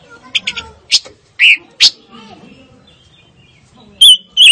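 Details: Fire-tailed myzornis song: scattered sharp high chirps and short buzzy notes, then loud clipped whistled notes near the end, with quiet background between phrases.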